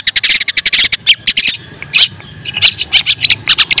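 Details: White-breasted long-tailed shrike singing to stir other shrikes: a fast rattling burst of grating notes, then a pause and scattered sharp squeaks and harsh chips.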